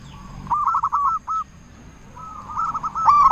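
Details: Loud local zebra dove call used as a lure to make other zebra doves reply: two bursts of rapid, quavering cooing notes separated by a short pause, the second ending in a stronger clipped phrase.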